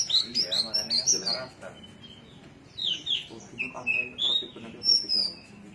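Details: Javan myna singing in Cilacap: a varied run of loud whistled notes and chattering phrases, some rising and falling, delivered in rapid bursts with a short pause midway.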